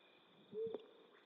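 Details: A single low, mellow hoot from a flammulated owl, recorded at night in western North America, with a steady insect hum behind it.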